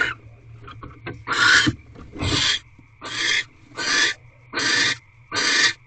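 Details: Barn owls in a corral owl box, evening of 1 March 2023, twelfth night of mating behaviour: a few soft clicks, then six short rasping screeches repeated roughly every 0.8 seconds, with a constant low background hum.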